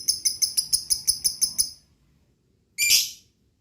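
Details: Lovebird call played to provoke lovebirds into song: a rapid string of about ten sharp, high-pitched chirps, a short silence, then one loud, harsh, buzzy screech.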